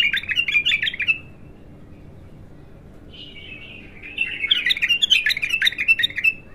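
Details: Untrained bulbul's first song: a short run of bubbling whistled notes, a pause, then a longer, excited phrase of rapid, rolling downslurred whistles.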